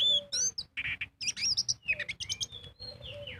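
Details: Oriental magpie-robin delivering lively ngobra song meant to lure birds into singing. Bright whistles, a buzzy rasp, quick high trills and chattering notes, ending in a sustained whistle falling away, over low hum.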